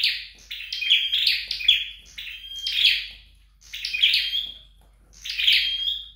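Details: Scarlet-backed flowerpecker being trained at home: about five bright, scratchy high chirping bursts, each trailing into a thin level whistle, separated by short pauses in a quiet room.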